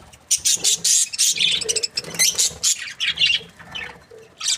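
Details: Budgerigars chirp happily in distinct loud bursts of shrill, scratchy notes separated by short gaps, with softer low warbles between and a last sharp chirp at the end.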